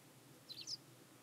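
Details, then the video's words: Faint, high, clipped call of three quick notes from a hybrid pied wagtail at Ottoland, Klokbekerweg, 4 May 2020, set against steady low background noise. "(hybride) rouwkwikstaart"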